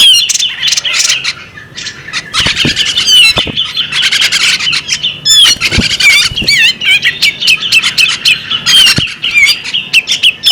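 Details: Female bearded magpie robin keeping up a long, busy chatter of clicks, squeaks and slurred whistled notes, with occasional low knocks and wing flutters throughout.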